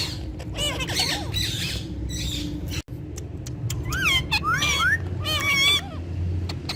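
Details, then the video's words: Pet Indian ringneck parakeets talking in Urdu and Hindi. Raspy chatter comes first. After a brief silence, bursts of rising whistles and harmonic chirps follow over steady background music. "Gorgeous Ringneck Talking Parrots With Their Melodious Voice In Urdu Hindi"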